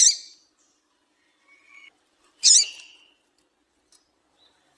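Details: Female double-collared seedeater calling to stimulate males to sing: two sharp, high chips about two and a half seconds apart, with a faint thin whistle between and another chip at the very end.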